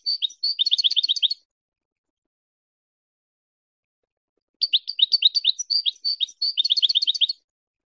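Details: Goldfinch song used as a tutor recording for teaching hybrid chicks to sing: two bursts of rapid high twittering, fast chirps repeated in quick runs with a long silent gap between them.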